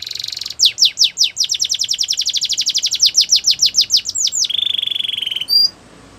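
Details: Canary song meant for coaching young birds: a brief buzzy opening, a long rhythmic string of rapid descending notes, then a low sustained rolling trill ending abruptly.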